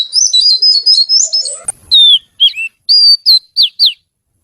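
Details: Oriental magpie-robin (kacer) in lively song. A fast chattering trill of short notes, a brief click, then clear separated whistles: falling slurs and a level note, ending with two quick downward whistles.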